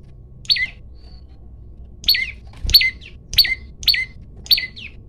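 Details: Olive-backed tailorbird male, phone-recorded, in a fighting challenge: one sharp descending chip, a pause, then five rapid, evenly spaced high chips at roughly 0.6-second intervals, loud and clear above a quiet low rumble.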